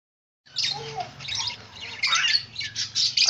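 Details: White zebra finches kept for breeding give harsh, nasal bursts of chirps in overlapping flurries after a short silence, with a steady low hum beneath.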